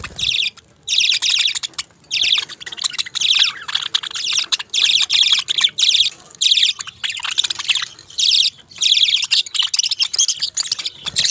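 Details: Budgerigars chirping in a steady stream of high, rapid, chattering twitters and warbles in repeated bursts of about half a second to a second, separated by brief pauses.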